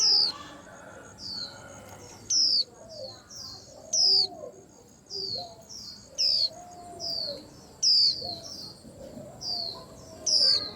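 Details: White-eye stirring a commotion: sharp high falling whistles repeated every one to two seconds, mixed with many shorter high chirps and lower soft whistled phrases from other birds.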